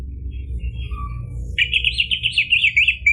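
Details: Orange-headed thrush lure song in a fast, rolling trill of zigzagging high notes running for over a second and a half, after a few faint softer sounds, with low background hum.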